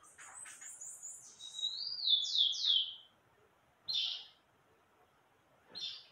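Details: Meia-noite style song of an ultramarine grosbeak: very high thin notes, then loud sweeping whistles gliding downward, followed by two short separate bursts after pauses, over faint background hiss.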